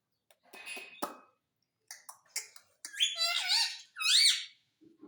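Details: Pet parrot mimicking human words, said to be saying mummy and papa, indoors in a small room: harsh squawky syllables, then two longer nasal, wavering voice-like phrases, with faint clicks and a low murmur at the end.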